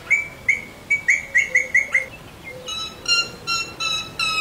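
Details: Parrot at a training session: a quick run of seven short bright whistled notes, then a lower, buzzier series of harmonic-rich calls repeated about twice a second.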